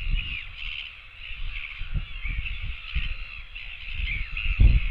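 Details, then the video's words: Begging royal albatross chicks asking for food, filmed on a nest cam dated 24.09.17; steady wavering nasal cries run throughout, partly masked by heavy low wind buffeting and thumps. "other chicks come begging for food"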